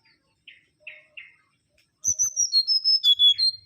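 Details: Mangrove whistler singing: three short rasping chirps, then a loud, sustained run of clear high whistled notes gliding and dropping in pitch.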